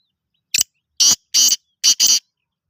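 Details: Black francolin calling at Rokhri: a harsh, grating series of short rasping bursts, one single note then three doubled ones spaced about half a second apart, against silence.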